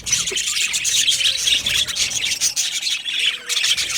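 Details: Many Australian budgies chirping in an aviary, loud high twittering and scratchy squawks in dense overlapping bursts, with a short lull near the end before the chatter resumes.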